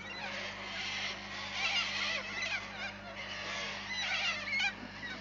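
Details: A flock of corellas at Arckaringa Homestead in the Painted Desert, South Australia, keeps up a harsh, overlapping screeching chatter of grating squawks over a steady low hum.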